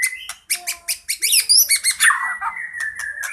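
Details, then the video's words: White-rumped shama in fighting mode, a song used for luring birds: dense, varied phrases of rapid chirps, rich whistles and buzzy notes, rising to a loud run of clipped high notes before a long whistled trill. "Murai batu tarung full isian sangat cocok pikat burung cepat ngeplong dan gacor"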